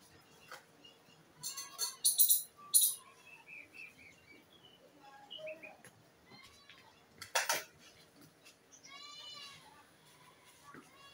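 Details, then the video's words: A pet myna sings a varied medley of short whistled notes, harsh rasping bursts and nasal, bleating squawks, with irregular pauses between phrases. "Myna Bird sing"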